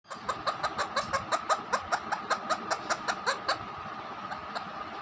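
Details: Pet parrot mimicking a hen: a rapid series of short, sharp clucking pulses, about two or three per second, fading out after four seconds, with a steady faint background hum.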